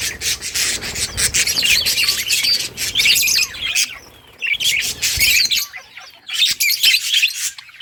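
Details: Budgies in a colony, brightly coloured and playing, chirping together: dense overlapping high chatter and warbles in bursts, with brief quieter gaps between flurries.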